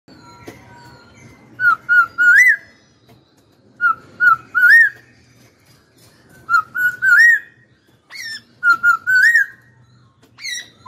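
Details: Chinese hwamei (Garrulax canorus), a very vocal, fast-singing bird, gives clear, rising whistled phrases in short bursts of three or four notes, repeated every two to three seconds over a faint low hum.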